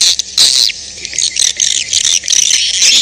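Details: Swiftlet mating call, original recording: dense high chattering twitters in quick bursts, bright and continuous with short gaps.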